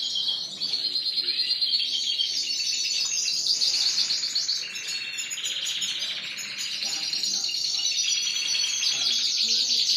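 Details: Spanish Timbrado and Gloster canaries in cages at a bird shop, April 9, 2016, pouring out a continuous rolling trilled song for ten seconds, with other canaries chirping alongside.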